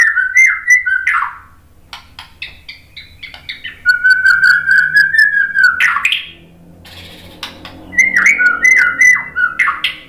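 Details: White-rumped shama singing loud whistled phrases, a sustained warbling passage in the middle and rising slurred notes, mixed with sharp clicks and ticking sounds between phrases.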